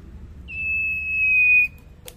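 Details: Young, tame common iora whose voice is still quiet: a single long, steady, high whistle held for over a second, then a faint trailing note. A click follows, and low room hum runs underneath.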